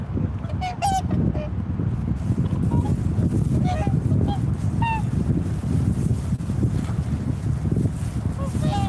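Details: Several swans trade short, nasal honks, some rising slightly, scattered through the recording with brief gaps, against constant low roaring wind.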